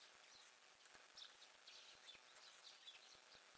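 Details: Woodpecker at a feeder on 6 February 2020, sharp dry taps repeated steadily about five times a second over a constant high hiss with faint twittering in the background.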